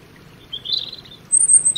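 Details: Brief phrase from a European robin: a soft, thin warble followed by a piercing high whistled note and a short sharp ending, all very high-pitched over low hiss.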